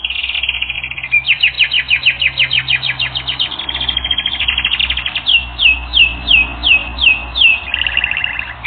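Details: Canary singing in a training recording: rapid repeated trills and chirps, high and bright, shifting through several phrases of fast rhythmic notes, with a low steady hum underneath.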